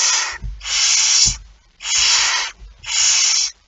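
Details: At 01:49 on 17 September 2019 a barn owl with a mouse produces four steady rasping hisses, fairly regular at about one per second, with soft thuds in the brief gaps.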